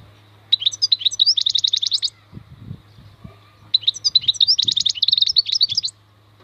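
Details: Two lively two-second bursts from a maknine khalwi goldfinch: jangling twitters running into rapid buzzy repeated notes. Soft thuds and a low hum sound between the phrases.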